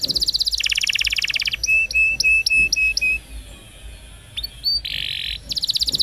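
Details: A canary sings a roll song for training young birds: a fast trill, a string of six evenly spaced short whistled notes, a buzzy burst, then the trill resumes.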